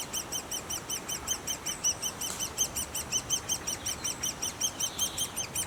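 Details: Great spotted woodpecker nest: evenly spaced, high, clipped squeaks repeated quickly in a regular pulsing stream, with a soft hiss briefly behind them.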